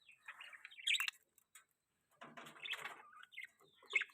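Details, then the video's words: Pet budgerigars chirping and warbling, described as mating sounds: scratchy, buzzy chatter with sharp high chirps in two bursts separated by a brief pause, ending in a bright squeak. "budgie chirping sounds|budgie mating sounds|budgies chirping sound"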